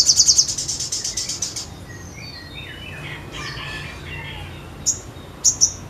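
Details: Crimson sunbird opening with a rapid, high rattling trill of evenly repeated notes, then softer thin descending whistles and a couple of sharp high chirps at the end.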